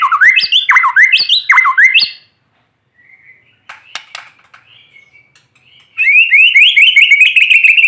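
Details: White-rumped shama kept in a cage and sunned in the morning, singing to stir silent shamas; three looping whistled phrases, a quiet gap with scattered clicks, then a fast run of repeated rising notes.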